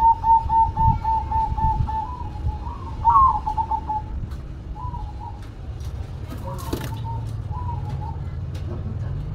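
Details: Zebra dove, a local perkutut kept as a songbird, singing a rapid series of soft, bubbly coos at an even pitch, with a brief rising flourish midway and later fainter phrases, over low background rumble.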